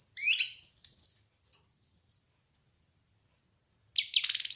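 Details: Kinoi bird song from a master recording meant to train and lure birds: high whistled warbling phrases with quavering notes, separated by pauses, ending in the start of a rapid pulsed trill.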